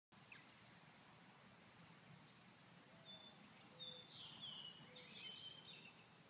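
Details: Purple martins in Grand Forks, North Dakota, on a cold day with a high of 39°F. With no flying insects about, the birds could not feed and were inactive. After three seconds, faint high chirps and short sliding notes begin over steady background noise.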